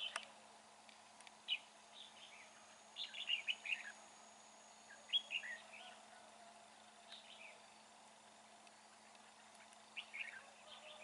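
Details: Red-whiskered bulbul singing from a fighting trap under gloomy, overcast skies: scattered quick chirpy, warbling phrases, some clustered in rapid runs, separated by pauses over steady faint background hiss.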